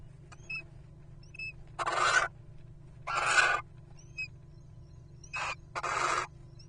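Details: Little owl pair arriving at their nest with a rodent, recorded by a webcam: harsh, hissing screeches in four half-second bursts about a second apart, with faint short high chirps between them over a steady low hum.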